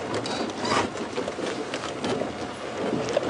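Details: During an afternoon safari drive at Djuma Game Reserve, a steady broadband rustling and crackling noise fills the recording, with no distinct animal call.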